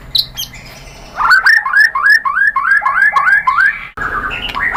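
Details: Song of the white-rumped shama, played to prompt captive birds to sing: a rapid series of upslurred whistled notes repeated several times per second, with scratchy high clicks above.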